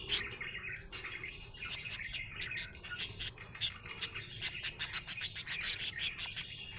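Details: Happy budgie chirping: a fast run of sharp, clicking ticks over a steady warbling chatter, with the ticks bunching more densely in the second half.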